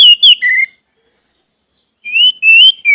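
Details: Orange-headed thrush song for prompting caged birds: a few slurred whistles, a pause of over a second, then rising and falling whistled notes.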